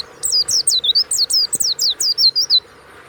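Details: Caged warbling white-eye (pleci) kept as a songbird, singing a loud, rapid run of high, thin whistled notes, each sliding sharply downward, about a dozen in three seconds, with quiet background.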